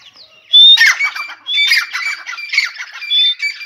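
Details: Morning calls of a grey francolin (teetar): after a quiet start, loud raspy bursts with piercing whistled overtones come in quick succession, roughly three strong phrases in under four seconds.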